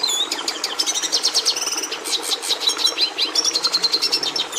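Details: Sustained high song of a Red siskin, the species breeders used to put red pigmentation into the domestic canary: dense rapid chirps mixed with brief buzzy trills and twittering phrases throughout.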